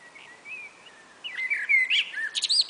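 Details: Common blackbird, one of two birds singing back and forth on a spring afternoon: soft low whistled notes build into a loud, rich warble that ends in high, scratchy twittering squeaks.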